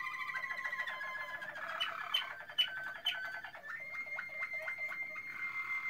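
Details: Malinois Waterslager canary song from 2016: mid-pitched rolling tours of rapidly repeated notes, a steady whistled line beneath, brief clicks, then a fast bubbling roll of dipping notes toward the end.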